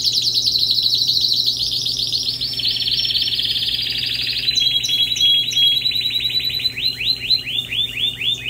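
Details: Canary song: fast trills of repeated chirps sweeping between about two and five thousand cycles, shifting phrase types every couple of seconds, ending in rapid rising-falling notes, with a faint steady hum beneath.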